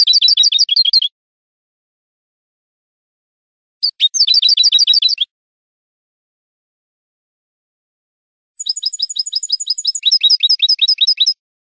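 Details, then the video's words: Spanish goldfinch song on a training recording for cage birds: long, fast trills of bright, metallic notes, the last phrase a sustained, steady high run shifting into a lower, jingling rattle. "شريط لغة الحسون الإسباني"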